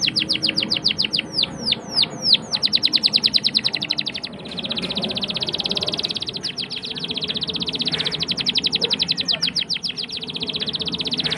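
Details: Prolific canary performing cuit-cuit chips and long rolls, used as a lure for young canaries learning to sing. Descending whistled swoops, then extended fast trills and buzzy rolls alternate across the phrase, over steady background noise.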